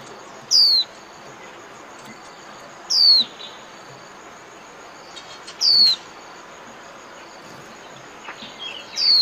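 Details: Japanese white-eye, 'líu' song for training caged birds: single piercing high whistles sliding downward, each under half a second, repeated roughly every two and a half seconds against faint hiss.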